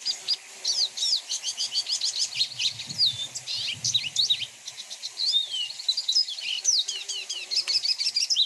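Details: Lesser goldfinch (Spinus psaltria) pours out a long, rapid, complex twittering song of high chirps, slurred whistles and buzzy notes, packed with mimicked phrases of other birds' songs; faint low murmurs underneath.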